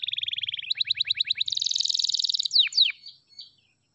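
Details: Canary of the F2 type, kenari F2YS, in song: a rapid buzzy trill shifts into quick repeated notes, then a dense rattling trill and two steep falling whistles.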